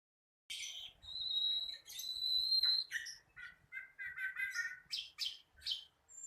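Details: Young flycatcher still learning its song, known locally as sikatan londo; a varied run of high whistled notes, some long and steady, then quick chirpy phrases and buzzy bursts, with faint low thumps underneath.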